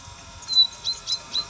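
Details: A chaffinch parent (mother, or possibly father) calls to its fledgling, which has left the nest and fallen to the ground, in rainy weather, giving short, thin, high notes about every quarter second over a faint low hum.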